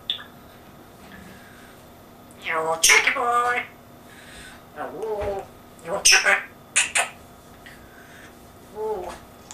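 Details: African grey parrot with an English accent, talking indoors: bursts of speech-like phrases with harsh, buzzy edges, separated by quiet pauses, ending on a short, low mumbled phrase.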